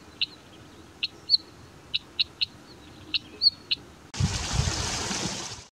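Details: Northern wheatear in high-mountain broom scrub, sharing the area with a male Iberian ibex, gives short, dry clicking notes, about two a second at irregular spacing, before a loud rush of wind or handling noise cuts in.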